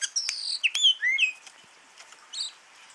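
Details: Javan oriental magpie-robin (kacer jawa), a caged bird offered for sale, gives a burst of bright whistled and slurred notes with sharp clicks. It falls to faint scattered twitters, then one short high double note near the end.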